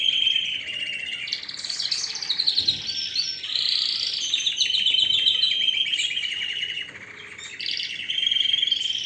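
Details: Canary song, a strong continuous run of rapid trills and rolling phrases at high pitch, some notes pulsing at a fast even rate, with a short quieter dip before the singing surges again.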